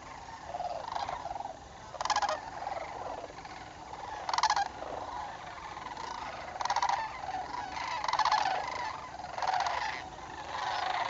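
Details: Sandhill crane flock gathering during fall migration in northern Indiana, October: continuous rolling crane chorus, broken by several brief loud bursts of broadband noise about every two seconds.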